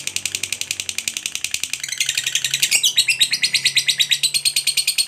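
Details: Long ngekek trill from a pet lovebird, described as drawing other lovebirds to join in: rapid high clicks at first, swelling into louder, ringing chattered notes in the second half.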